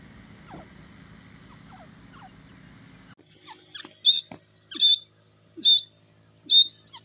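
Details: Morning calling of a grey francolin: a low hum fades out, then four loud, piercing high whistled notes follow at roughly one-second intervals, with soft chirps between them.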